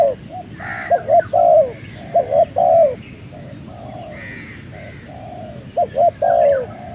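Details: A Malay-line spotted dove, just released from its transport box and not yet fed, gives two rounds of low, mellow coos, each a few quick short notes then a longer rolling croo, in quiet surroundings.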